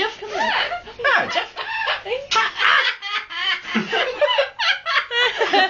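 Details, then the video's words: A pet Amazon parrot chatters in harsh, voice-like bursts and laugh-like cackles with sharp swooping squawks, while a person nearby talks and laughs at it. "amazon green parrot making noises"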